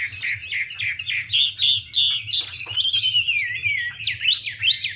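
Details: Hwamei song amid a female's spread-wing dance that urges the male: a series of rhythmic whistled notes, a long sliding whistle, then sharp up-and-down sweeps, with a faint low hum.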